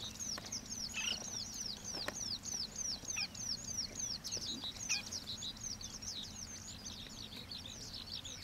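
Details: Oriental pratincoles recorded at Xinyuan, Taiwan: a dense, continuous stream of sharp, high chirping calls, many overlapping and repeated several times a second, with a low steady hum underneath.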